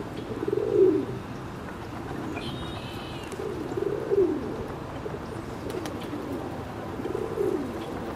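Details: Ring-necked duck uttering three low, hollow, hooting notes spaced about three seconds apart, with a faint higher whistled trill between the first two, against constant rushing background noise.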